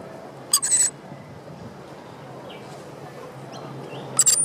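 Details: Rainbow lorikeet at the Royal Botanical Gardens, Sydney, near the Opera House; two short, harsh, high screeching bursts, one early and one near the end, over a steady low background hum.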